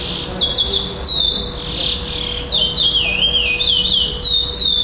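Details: A chestnut-bellied seed finch (curió) competing at a song tournament in Florianópolis, Brazil, on 11 December 2011, placing second, sings a fast, continuous run of high, sweeping whistled notes, many sliding down, over a steady hum.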